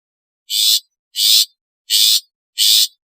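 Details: Long-tailed shrike giving natural, alarm and lure calls: four loud, harsh, rasping bursts, each about a third of a second, evenly spaced roughly every 0.6 seconds, with no other sounds.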